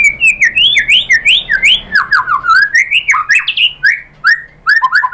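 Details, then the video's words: [4, 'White-rumped shama song played as a lure to get a bird singing back; continuous rich whistled phrases swooping up and down, several notes per second, with crisp high ticks between them.'] "MURAI BATU jadi NYAUT GACOR BONGKAR MATERI ¦ PANCINGAN MURAI ¦ SHAMA BIRD"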